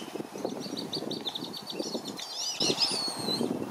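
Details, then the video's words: Black-bellied whistling duck parents protect their five flightless juveniles from surrounding ducks at Circle B Bar Reserve, Florida. Thin, high whistled notes run in a quick series, with a sharper, tangled burst near the end. Soft splashing sounds underneath. "BLACK-BELLIED WHISTLING DUCK PARENTS PROTECT THEIR YOUNG FROM OTHER DUCKS"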